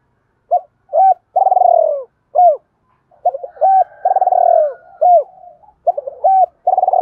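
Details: Spotted dove decoy bird from Đồng Nai calling to lure wild birds: two phrases, each a short note, a clipped hooked coo, a long rolling trilled coo sliding downward, then a falling slurred note, with a pause between phrases.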